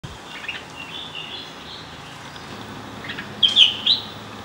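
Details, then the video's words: Red-whiskered bulbul singing: soft, faint warbling, then a brief burst of bright, liquid whistled notes near the end, over a quiet outdoor hush. "Red-whiskered bulbul singing"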